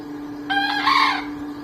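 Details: One short crow from a snow-white Bekisar, a green junglefowl-chicken hybrid noted as a frequent crower. A clear tonal start turns into a harsh, buzzy ending, with a steady mechanical hum underneath.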